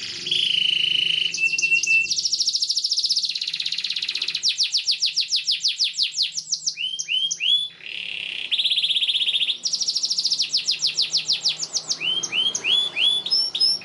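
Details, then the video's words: Canary song used as a tutor for young canaries learning to sing: long vigorous phrases of fast, rapidly repeated high rolling notes alternating with clear upward-swooping whistles, with a short break near the middle. "PANCINGAN Kenari GACOR PANJANG Cuit2 EMOSI ini AMPUH utk MASTERAN Kenari PAUD belajar BUNYI"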